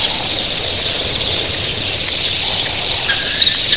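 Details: Thousands of red-billed queleas in the early morning keep up a steady wash of high, twittering chatter that blends into one unbroken din; their wingbeats sound like surf crashing onto a beach.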